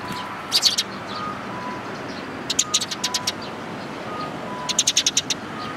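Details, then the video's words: Sparrows, adults with young, recorded 19 May 2018: three quick bursts of rapid high repeated cheeps, each lasting under a second, above a constant low hum. "可愛いすずめ達 20180519（親鳥と雛）"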